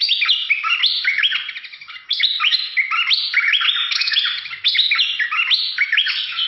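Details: Bulbul singing in a fierce style: a dense, fast warbling stream of high slurred and rising whistles and chatters, almost unbroken for several seconds.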